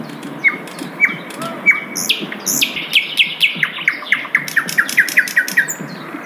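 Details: Asian brown flycatcher singing in the wild, starting with spaced sharp chips, then a quickening run of rapid high clicking notes and thin whistles.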